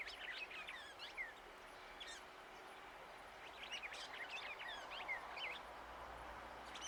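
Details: Hooded siskin singing in an urban setting in Uruguay: a varied, scratchy twitter of quick high chirps and short slurred notes in loose bursts, with steady low background hum.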